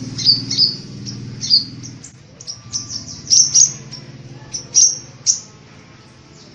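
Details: Sunbirds, the kolibri ninja and kolibri wulung of Indonesian bird-keepers, singing energetically: scattered sharp, high twittering notes and short trills, some louder bursts near the end, over a steady low hum and a dim background.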